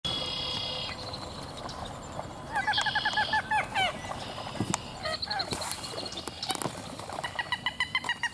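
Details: {'caption': 'Several very vocal common gallinules calling: bursts of rapid harmonic clucking notes in quick series, mixed with sharper chattering notes and scattered clicks, over steady background hiss.'}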